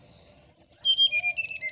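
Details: Brown-chested Jungle Flycatcher (srdc) singing in the morning: about nine clear whistled notes stepping steadily downward from high to lower pitch over roughly one second.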